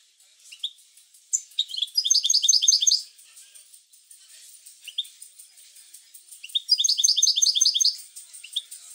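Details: European goldfinch song used to stimulate goldfinches to sing: two bursts of rapid, bright twittering notes, each about a second long, separated by scattered high single chirps.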